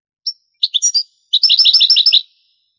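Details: European goldfinch singing in the Granada song style, taken from an old Spanish cassette of the late 1980s: a single high note, three quick twittering notes, then a fast metallic trill of about ten notes in clean silence.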